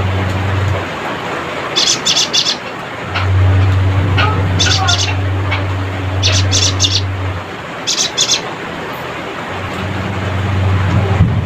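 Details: Cinereous tit in full voice giving its rattling chatter call, used to call rivals: clusters of short, high, buzzy notes in brief bursts every two seconds or so, over a steady low mechanical hum and faint background noise.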